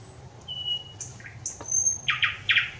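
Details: Thrush nightingale singing on 25 May 2021: long pure whistles, one low and several high, a short lower note, then loud throaty chock notes repeated in quick bursts.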